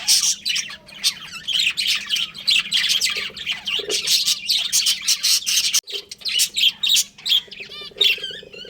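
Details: Pet budgerigars, a breeding pair, chirping busily: dense, scratchy warbled chatter of rapid squawks and tweets, nearly continuous, with short whistled notes mixed in and a faint low hum underneath.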